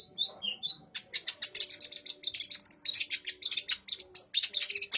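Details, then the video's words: Long-tailed shrike singing a dense run of sharp chirps and twittering notes, mimicking a house sparrow, short bursts repeated rapidly with brief gaps, high-pitched throughout, faint low hum in the background. "cendet gacor isian burung gereja"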